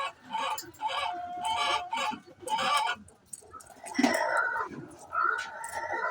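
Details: Pre-laying noise of a chicken: three loud harsh squawking bursts about a second apart, followed by higher drawn cackling cries with background clucking.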